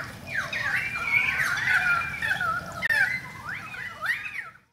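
A currawong gives rich, ringing whistles that glide and loop up and down, several phrases overlapping, over a steady hiss of falling rain.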